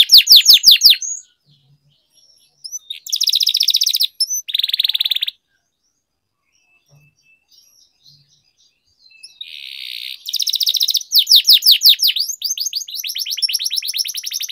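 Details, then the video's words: Canary singing, a training track; bursts of rapid sweeping notes and buzzy rolls separated by long silent gaps, ending in a lively trill of down-slurred whistles. "Canary Singing Training, Kenari Gacor Ngerol Panjang"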